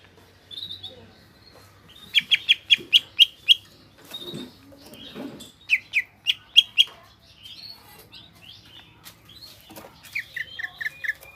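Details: Greater green leafbird in full, energetic song: quick bursts of sharp, high repeated notes in rapid series of five or six, short harsher lower sounds between phrases, and a final run of brief warbled notes.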